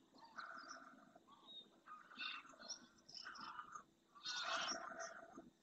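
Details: A numerous flock of greylag geese, winter visitors to Spain, returning to a lagoon in Doñana National Park's marshes at first light; repeated honking calls with clear harmonics, overlapping and ending in a loud cackling burst.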